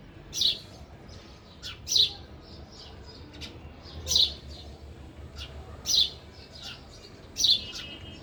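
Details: Feeding sparrow at a feeder calling with bright, sharp chirps repeated roughly every one and a half seconds, five in all, with softer twitters between.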